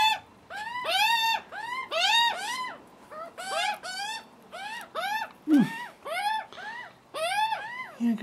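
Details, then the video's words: First visit by screaming juvenile Australian magpies begging for food, the cautious adult male present; dense run of harsh, arched harmonic squawks from more than one bird, with a brief low grunt midway. "screaming hungry juvenile Magpies"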